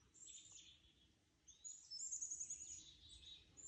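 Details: Birds singing far off: thin, very high twittering notes and a quick trilled phrase of rapid repeated chirps, over a faint steady background hum.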